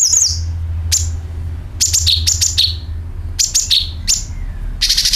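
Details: Sooty-headed bulbul used to attract birds: repeated phrases of bright, quick chirps that step down in pitch, several in a row, ending with a dense buzzy rattle, over a constant low drone.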